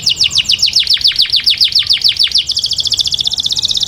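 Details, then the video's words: Taghreed song of a canary, meant for training young chicks: a steady run of quick, high descending whistles repeated about four per second, then switching abruptly to a rapid, dense, metallic trill held to the end. "Taghreed canary to train chicks canario taghreed para entrenar pollitos"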